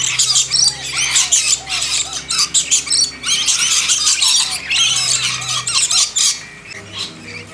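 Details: Lorikeets at a backyard hand-feeding: harsh, high screeching from several birds in quick choppy bursts, thinning out toward the end, with a low hum in the background.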